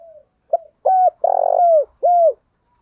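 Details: Spotted dove kept as a decoy, calling in the morning to lure wild doves: a short note, then low hooting coos around 600–700, one long rolling vibrating coo in the middle, ending with a clean falling coo.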